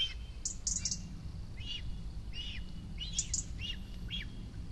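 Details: Cinereous vulture fledgling, a month after its first flight, begging for food from its nest in Rascafría, Sierra de Guadarrama National Park, on spotting a parent overhead: soft arched chirps repeated about every half second, with brief high squeaky bursts between.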